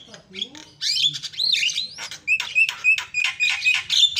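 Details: Javan myna in full song, used to provoke other mynas: dense, loud mix of squawks, twisting whistles and clicking chatter, delivered almost without pause.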